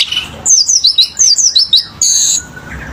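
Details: A selendang biru bird sings vigorously, giving a quick sequence of high, sharply falling whistled notes followed by a brief buzzy high note.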